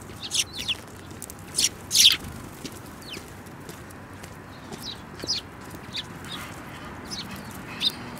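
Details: Group of sparrows on 24 February 2018, one of them yellow-billed; bright, sharp chirps in quick clusters, loudest near the start, then scattered single notes over a constant low hiss.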